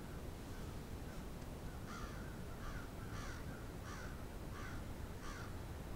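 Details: Crows from a large flock on Steadman Street, Moncton, New Brunswick: six harsh, raspy caws spaced about every half second to second over a steady low rumble of background noise.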